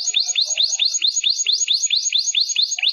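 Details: Canary training song: steady repeated swooping whistled notes, each dropping in pitch, delivered at a regular fast rate of about five per second, loud and clean.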